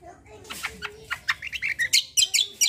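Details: Cucak in gacor kombo song, quick rising and falling chirps that grow louder and faster toward the end, over a faint low background murmur.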